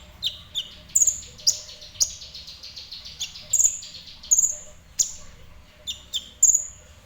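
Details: Ninja sunbird singing at moderate pace: lively series of shrill high whistles mixed with slightly lower chirps, notes clustered in quick pairs and triplets, pauses under a second, faint low rumble behind.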